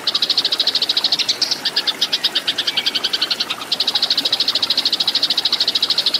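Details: Training recording of tree sparrow fighting song for cage birds: steady, loud, rapid high chirps, a brief dip with a faint downslurred note, then a dense even chatter to the end.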